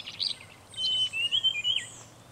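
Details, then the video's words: Red-breasted flycatcher, a rare migrant or winter visitor, recorded at Shimen Reservoir in Taiwan: a run of high, thin whistles with quick upward and downward slides, clear above faint background noise. "紅胸鶲/Red-breasted Flycatcher"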